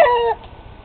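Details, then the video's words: Sneezing rooster, a domestic bird found healthy on examination, with allergies the suspected cause; a single loud, squeaky harmonic burst lasting about a third of a second, cutting off abruptly into quiet background hum. "The Sneezing Rooster"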